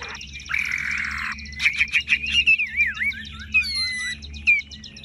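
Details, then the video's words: Tame caged Chinese hwamei with yellow legs, bill and plumage, singing tirelessly: a buzzy held note, then a run of clear whistled, sliding notes that rise and fall, over a low steady hum. "Họa mi thuần đét chân mỏ lông lá vàng ươm - Hót như máy"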